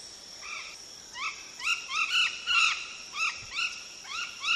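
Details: Golden parakeet, an endangered species, gives a rapid series of harsh, rising squawks, about two per second, some overlapping as if from several birds.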